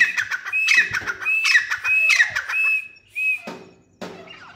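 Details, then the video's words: Grey francolin (teetar) gives loud, shrill, slightly harsh notes repeated about every second, rising and falling, followed by two sharp knocks. "Teetar Making Beautiful Sounds | Teetar call | Teetar Voice | Gray francolin Voice"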